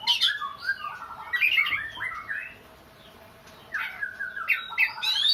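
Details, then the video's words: Oriental magpie-robin with a song likened to a crying child: wavering, wailing squeaky notes with harsh slurred phrases, a quiet gap midway, then renewed bursts of scratchy rising calls in a small room. "burung Kacer nangis tersedu"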